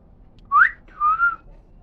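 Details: Pet common hill myna, a talking bird kept indoors, giving two clear whistles: a quick upslurred note, then a longer, steadier whistle half a second later, in a quiet room, between owner's Bengali prompts.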